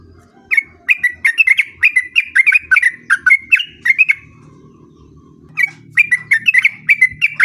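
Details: Sooty-headed bulbul delivering the long 'ropel' song meant to coax other bulbuls into answering: a fast stream of bubbly chirps lasting about four seconds, a pause of roughly one and a half seconds, then another rapid burst, over a soft low hum.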